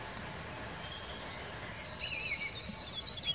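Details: Cirl bunting singing in riverside woodland: after a quiet start with faint high chips, a loud, dry, even trill of rapid identical notes on one high pitch runs steadily for well over a second, with a softer warbling bird call beneath.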